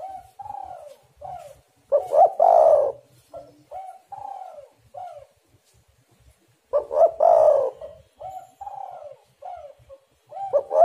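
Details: Spotted dove phrases for luring other doves to call: low mellow coos lead into a strong rasping coo, with the pattern returning after a pause of several seconds.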